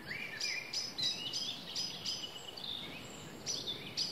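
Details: Birds sing outdoors in spring on the green shore of Lake Onega beside a road, giving quick high chirps and twittering notes tumbling over one another; frogs are also calling nearby.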